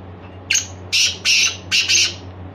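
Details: {'caption': 'Black francolin, locally called heera, giving a harsh grating call of about four rasping bursts in quick succession over a steady low hum.'}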